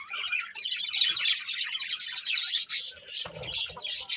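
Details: Birds twittering in the morning, fast tumbling high chirps with a few clear whistled notes near the end and a short low thump.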